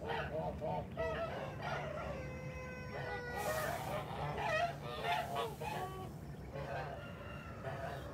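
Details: Kholmogory geese on a farm, 29 March 2021: nasal honks and drawn-out calls from several birds, some with steady tonal bands, overlapping irregularly against a low background hum.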